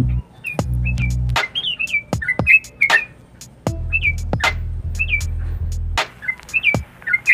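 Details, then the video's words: Yellow-vented Bulbul in active 'gacor' song with 'nguklik' clicking notes, said to provoke other birds: brief bubbly whistled phrases repeated every second or so, crisp clicks, and two long low buzzing hums underneath. "Trucuk Gacor - Nguklik Bikin Emosi yang Lain"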